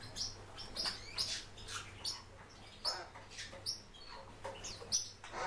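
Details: Japanese white-eye in bird keeping, uttering bright high chirps in small bursts roughly every half second, some notes sliding downward, with a soft low hum underneath.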